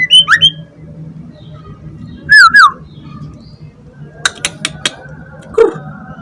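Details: Young wild-caught white-rumped shama from the forest, caged and singing while its cage is held, Semarang: two loud, slurred whistled phrases with a few sharp clicks between them, over a constant low hum.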